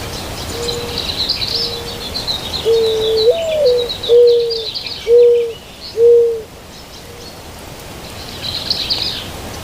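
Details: White-winged dove in California at morning sunrise giving soft low coos that build into louder, drawn-out hoots about one per second, the middle one rising and wavering, over a busy background of chirping and twittering small birds.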